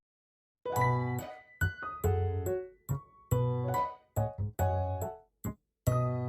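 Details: Light tinkling background music of short bright notes and chords, with brief pauses between phrases and no animal voices.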